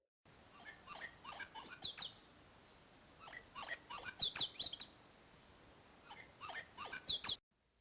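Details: Louisiana Waterthrush in spring in the Ozarks, singing from a rushing creek bank: three loud, ringing songs, each a few clear whistled opening notes then a quick, slurred, downward jumble, about three seconds apart.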